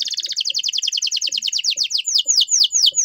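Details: Canary singing a fast roll of sharp descending chips, repeated about eight times per second, slowing slightly and growing sweeping toward the end.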